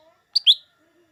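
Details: A single lesser green leafbird phrase, used to provoke green leafbirds into singing: a quick piercing note followed immediately by a fuller, downward-slurred whistle, in otherwise quiet surroundings.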